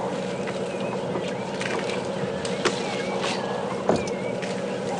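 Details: Fork-tailed Drongos on a morning safari drive at Djuma Game Reserve, South Africa, 10 November 2015, give short, wavering, metallic robotic whistles every second or so before flying off, over a vehicle engine rumble.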